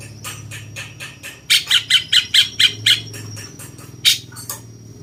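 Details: Cucak cungkok bulbul with a jenggot-like voice, kept as master material for training champion songbirds; a rapid run of rasping notes, louder in the middle, then two final harsh calls over a low hum.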